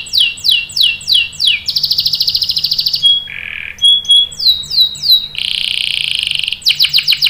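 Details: Lure song of a canary for prompting other birds to sing along: series of sweeping downslurred whistles, a fast trill, a low nasal buzz, more slurred notes and a long dense rolling phrase.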